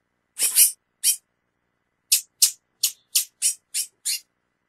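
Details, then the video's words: A female chestnut-bellied seed finch calls insistently, giving nine short, hissy, high chips, spaced at first and then quickening to about three per second. "Fêmia do Curió Chamando Muito"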